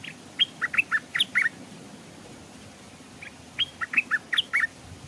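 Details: Stripe-throated Bulbul used as a caged decoy by a stream, where wild birds arrive but hold back. Two rapid runs of rich, warbling chirps, each about a second long, separated by a pause of roughly two seconds.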